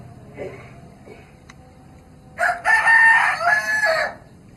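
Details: Javanese free-range village chicken living half-wild in a rural yard in Java, Indonesia: one loud, harsh rooster crow lasting almost two seconds with a strained, wavering middle, preceded by a couple of soft, faint notes.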